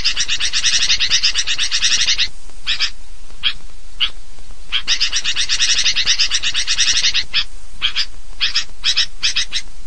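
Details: Sooty-headed bulbuls in a busy, noisy lure recording: loud stretches of crowded harsh chattering alternate with sparser scattered notes, continuous throughout.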